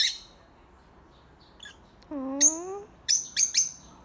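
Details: Several birds described as parrots making noise: a low harmonic whine rising slightly over half a second, followed by short sharp high chirps and squawks in quick clusters.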